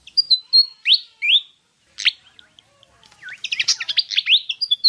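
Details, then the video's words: Pied fantail, known as kipasan, singing for a lure recording. Thin level whistles and two upslurred notes are followed, after a brief pause, by a dense jumble of rising and falling twittering phrases. "Pancingan suara burung kipasan/srikatan jawa javanica)"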